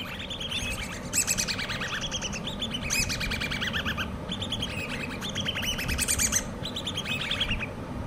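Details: Hand-reared common babbler chicks calling: bursts of rapid, high, squeaky chirps in quick runs, several voices overlapping, with short pauses between bursts over a steady low background hum.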